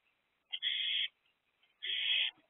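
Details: Owlet inside an owl box at 7:50 pm, 1 April 2024, excited about an incoming food delivery: two drawn-out, raspy hissing screeches, each about half a second long, separated by a pause of nearly a second.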